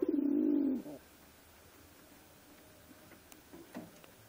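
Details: Pigeon calling naturally, a single loud low coo lasting under a second with a slight falling pitch at the start, followed by quiet room background and faint scattered clicks.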